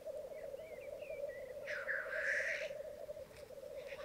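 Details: Lekking black grouse on a bog in Mykland, May 2022, morning, with twelve males and two females gathered; steady rolling bubbling chorus underneath one strong, harsh hissing burst near the middle and faint short whistled notes early on.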